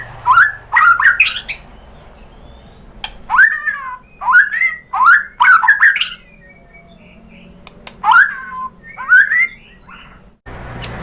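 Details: White-rumped shama song used to goad a caged shama into answering: repeated loud rich phrases of rising and falling whistles, separated by short pauses, ending abruptly.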